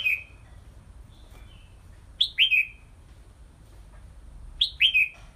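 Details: Caged red-whiskered bulbul during exercise training in a small bamboo cage hung up high; short bright whistled phrases falling from high to mid pitch, in pairs, repeated about every two and a half seconds, with low background hum.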